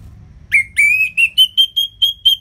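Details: Orange-headed thrush, ngeplong-style song used to prompt lazy birds to sing: a steady series of clear whistled notes, first drawn out, then shorter and quicker, edging slightly higher, about eight notes.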